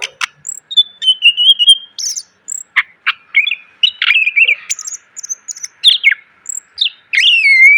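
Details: Varied song of a greater green leafbird, recorded for teaching cage birds: long level whistle, scattered high thin notes, buzzy chips and a closing slurred phrase, over a faint constant hum.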